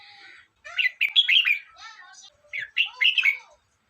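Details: Red-whiskered bulbul singing: two bursts of bright, bubbling warbled phrases around the upper-middle range, each a quick run of rising and falling notes lasting about a second, separated by a short pause.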